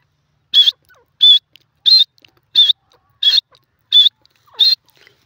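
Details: Teetar, or grey francolin: a clear, high whistled note repeated steadily about every 0.7 seconds, seven times, with quiet background otherwise.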